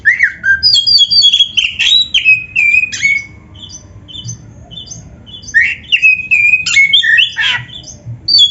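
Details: Caged-bird training song of an oriental magpie-robin: bursts of quick chirps, squawks and slurred whistles alternating with short silent gaps, with sharp clicks scattered through.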